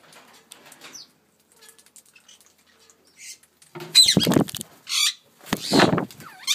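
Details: Pet ringneck parrot of a colour mutation: after a few quiet seconds of faint rustling, loud harsh squawks break out in three bursts, with a brief higher rising note near the end.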